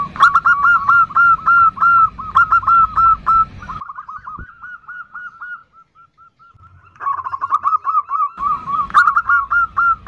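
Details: Zebra dove hen calling the male with a nutut call. Loud, fast series of hooked coos give way to quieter notes midway, then the series builds again.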